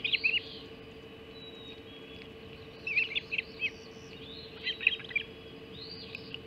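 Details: Early morning at the Hog Island Osprey nest, 04:50 on 30 June 2016, mackerel brought for breakfast: repeated groups of shrill, piercing chirps and rising-falling whistled slurs recur every second or two over a steady low hum.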